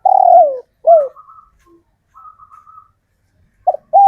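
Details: Captive local male spotted dove calling to attract females: two loud descending coos, then faint thin whistles, and short coos at the end.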